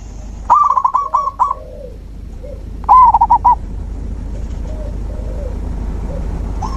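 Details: Zebra dove song as nature therapy for a dove that no longer sings: two loud rolling coo phrases of quick bubbling notes, with softer, lower coos answering between them over constant background hiss.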